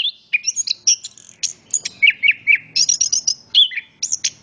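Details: Orange-headed thrush (anis kembang) delivering quick song phrases: three similar downslurred whistles in a row, then a stuttering burst of sharp high notes, over a faint low hum.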